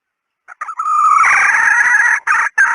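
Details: Female red junglefowl call used as a decoy: a few short clipped notes, then a long, loud, wavering harmonic call lasting over a second, ending in two brief bursts. No other sounds.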